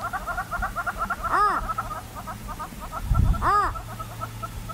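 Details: Purple roller recorded in Kruger National Park: a pair of rasping, down-curved squawks about two seconds apart, with continuous fast ticking chatter from other animals and a brief low rumble in the background.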